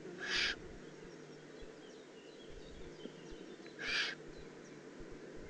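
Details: Two rough, airy screeches from a young Eurasian eagle-owl in the Eifel, 18 June 2016, separated by about three and a half seconds of low background noise.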